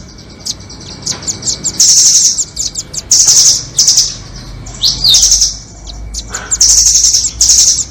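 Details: Lure recording of rambatan doraemon and red-billed rambatan nuthatches for trapping birds: bursts of high, rapid, shrill chirping, several longer trilled runs, and a few short downward slurred notes between them.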